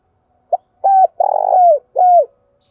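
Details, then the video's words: Spotted dove cooing in the local 'thổ đồng' (field) voice style, used to lure wild birds: a short note, then a drawn-out coo, a longer rolling coo that slides down, and a final falling coo, in a clean, quiet recording. "Tiếng chim cu gáy kích bổi nhanh nổi cực nhạy, tiếng gáy gọi"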